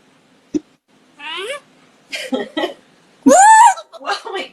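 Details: A female African grey parrot mimics human laughter and wheezing to get her owner laughing: a run of rising, voice-like whoops and chuckles that grow louder, mixed with a person laughing and talking.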